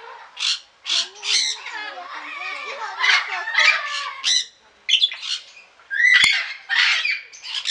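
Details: Golden sun conure in a garden aviary in Pelhřimov, Czech Republic, on 18 August 2017, giving harsh, shrill squawks in quick rasping bursts, about a dozen in eight seconds, with a sharp click near the end.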